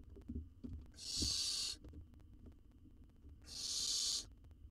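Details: Young wild owl in an Israeli research nest box, fed a jird and swallowing it whole, gives two rasping hiss-screeches about three seconds apart, with low muffled thumps and rustling at the start.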